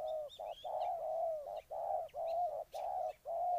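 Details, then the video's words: Spotted dove from Ninh Thuận, Vietnam coos almost continuously: long hollow notes broken by brief gaps, while small birds give thin rising whistles and chirps. "Cu gáy Ninh Thuận"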